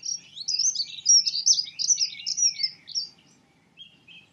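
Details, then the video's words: A singing dunnock delivers a rushed, tinkling phrase of high squeaky notes for about two and a half seconds, then goes quiet apart from a couple of faint notes. "Dunnock sings. Heckenbraunelle singt."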